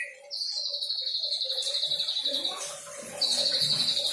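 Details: Young white-rumped shama learning song material, giving a long steady high buzzy trill that pauses briefly and resumes, with faint softer chirps and a low hum beneath.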